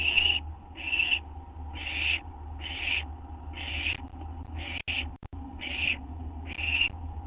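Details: Owls at their nest around midnight on 6 September 2011 as prey is delivered; regular rasping hiss bursts roughly once a second, with a few brief clicks and a steady low hum.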